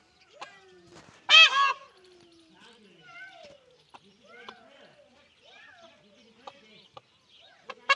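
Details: One loud nasal honk from a peahen searching for a peacock opens the recording, followed by softer chirps and calls and a few sharp clicks.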